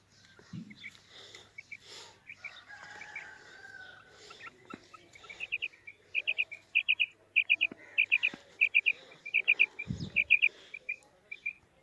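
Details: Female quail (maadi karkari) calling: after noisy rustling and a few scattered notes, a rhythmic run of loud doubled chirps repeats roughly twice each second, broken by a low knock.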